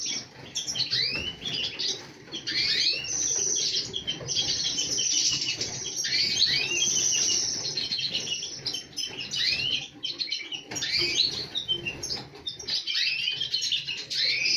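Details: Many multicoloured goldfinches in full voice, a thick unbroken tangle of liquid twitters, rising chirps and buzzy trills, with occasional soft fluttering.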